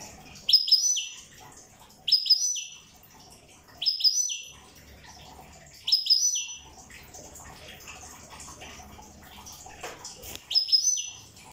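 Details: European goldfinch from Corsica repeating a short sharp phrase of high, clipped twittering notes roughly every two seconds, with quiet gaps and a faint background hum between phrases.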